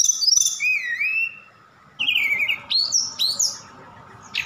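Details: Javan bush lark from Sukabumi, Indonesia, singing a song full of imitations such as cililin and sikatan londo: looping high whistles, a descending slur, a pause, then quick upswept notes and hooked phrases, with a faint electrical hum.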